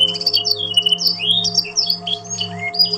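A Yorkshire canary sings a fast, varied run of high, sweet chirps, trills and quick rising and falling whistles, over a steady low humming drone.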